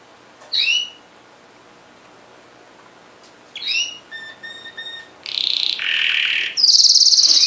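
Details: Canary phrases separated by silence: short upward slurred notes, then a dense buzzy roll and a high fast trill at the end.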